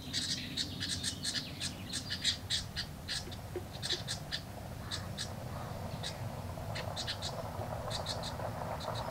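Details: Brood of house wren hatchlings in a birdbox begging when a parent arrives with food: clusters of short, scratchy, high chatter bursts over a low background rumble.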